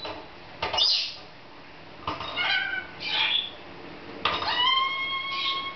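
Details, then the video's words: Female pet lorikeet laughing while playing in a new playground: three bursts of harsh squawks, each ending in clear rising whistled tones, spaced roughly every one and a half to two seconds. "Laughing Lorikeet"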